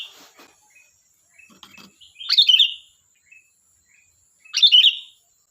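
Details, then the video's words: Sooty-headed bulbul singing actively: two loud bubbly, gurgling phrases about two seconds apart, with soft scattered chirps between them and a faint steady high hiss behind. "Suara burung Kutilang Gacor || Ocehan Kutilang"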